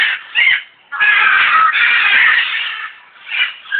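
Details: Captive African grey parrot at Alipore Zoo, Kolkata, India, giving loud, harsh, grating squawks: a short burst, then a long rasping squawk lasting nearly two seconds, and a final shorter squawk.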